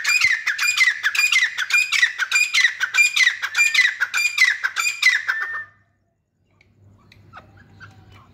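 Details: Grey francolin (teetar) giving a rapid series of harsh, ringing notes, about a hundred and a half per minute, steady for over five seconds, then silence with a faint low hum.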